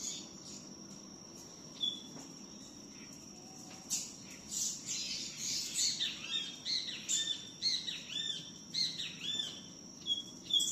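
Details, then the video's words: Double-collared seedeater singing a lot in the tui-tiu song style: after a quiet start, a lively run of high, rapid chirped and slurred notes repeated in quick bursts, with a steady high hum in the background. "COLEIRO TUI TIU CANTANDO MUITO"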